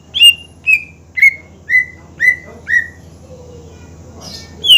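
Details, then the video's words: Greater green leafbird singing gacor, used to goad lazy rival birds into song: a run of six clear whistled notes, each slurring downward, about two per second, then a pause. "PANCINGAN CUCAK IJO GACOR MEMANCING EMOSI LAWAN AGAR RAJIN BUNYI"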